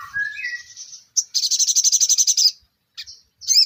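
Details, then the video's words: Ruby-cheeked sunbird song opening with thin rising whistles, then a fast rattling trill of high notes lasting about a second, followed by short high chips. "sogon gacor full materi nembak"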